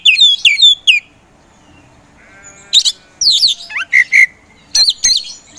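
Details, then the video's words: Oriental magpie-robin in a cage, kept for song contests, delivers quick looping whistles, a brief low-pitched buzzy trill, then rasping and whistled notes in close bursts. "KACER POCI GACOR SANG PROVOKATOR"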